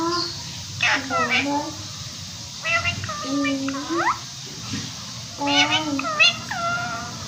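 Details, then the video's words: An Indian ringneck (rose-ringed parakeet) pet talking in three short bursts of nasal, speech-like syllables that rise and fall in pitch, with brief pauses between phrases. "funny ringneck parrot talking | bolne wale tota"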